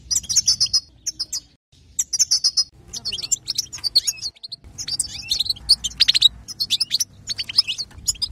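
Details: European goldfinch singing to stir other goldfinches, with very high, jingling twitters and chattering trills in rapid bursts separated by short pauses.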